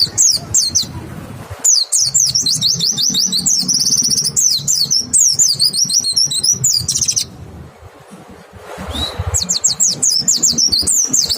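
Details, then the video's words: Clear white-eye lure song for provoking other white-eyes to sing: long runs of very high, rapid zigzag chirps and buzzy trills, broken by a short lull near eight seconds, over low background rumble. "Pancingan PLECI BIKIN IKUT NEMBAK, suara jernih bikin respon PLECI LAIN BUKA PARUH"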